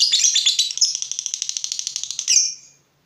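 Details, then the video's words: Lovebird fighter, stirred up by the sight of an opponent, bursts into a piercing high chatter that settles into an even rattle of quick pulses, then ends in a final squeal and silence. "Terpancing Emosi Begitu Lihat Lawan, Lovebird Fighter ini Langsung Narung"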